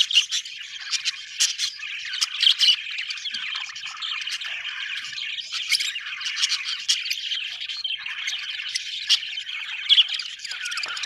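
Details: Contented budgerigars chattering for a long stretch, a constant warbling hum of chirps with scattered sharp clicks and brief louder squawks.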